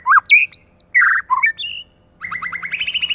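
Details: White-rumped shama, a female paired with a male as a lure to provoke rivals: varied loud whistles and buzzy slurred notes, then a quick rapid trill that climbs gently in pitch.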